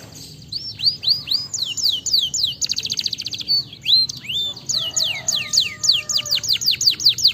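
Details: Canary song: fast series of bright, high whistled notes that sweep down in pitch, broken by a dense buzzy trill in the middle, then more repeated down-slurred whistles, with faint background hum.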